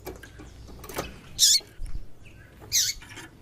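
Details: Female Double-collared Seedeater giving two brief, thin, high chirps about a second and a half apart over faint background rustle; this female call is used to excite males into singing.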